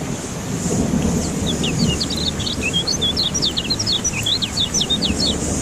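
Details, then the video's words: A lemon-bellied white-eye, kept by a bird keeper and given rain therapy to get a bird that has stopped singing to sing again, delivers a rapid, high, twittering string of thin slurred notes over low rumbling noise and a steady high hiss. "Terapi Hujan Kecial Kuning Buat Burung Yang Macet Jadi Bunyi Gacor Joss"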